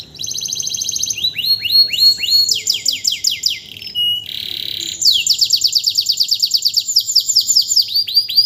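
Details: Caged canary, a tutor bird for other birds, singing vigorously just after its moult without any conditioning: loud, very high varied song of rapid buzzy trills, downslurred whistled notes repeated in fast series, and rolling tours shifting pitch every second or so.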